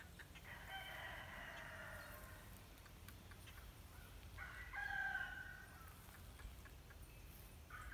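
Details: Green heron, possibly at a nest in a tree, calling as someone approached. Two harsh, scratchy one-second squawks about three seconds apart, with faint outdoor rumble between them.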